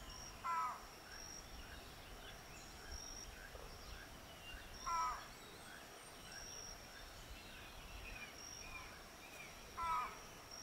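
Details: Keel-billed motmot at Rio Santiago, Honduras: three short, hoarse, croaking calls, each about five seconds apart, over a steady high insect drone with faint other birds in the background.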